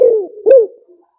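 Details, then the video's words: Fragment of a spotted dove's three-kuk hanging lure call used to attract wild doves: a falling coo followed by a single loud rounded hoot that fades away. "เสียงต่อนกเขาใหญ่หมานๆ,เสียงนกเขาใหญ่ 3 กุกห้อยป่าแท้ เสียงชัด"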